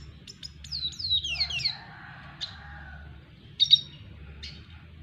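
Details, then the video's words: Double dilute red siskin learning to court a female; a few short chirps, then a run of quick descending slurred whistles near the middle, with brief high chips later and quiet low background hum. "Red siskin Double diluet belajar merayu BETINA red siskin"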